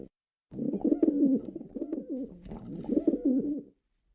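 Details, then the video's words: After a brief silence, a male pigeon delivers about three seconds of deep, bubbling coos in swelling phrases that rise and fall, then stops. "male pigeon sound"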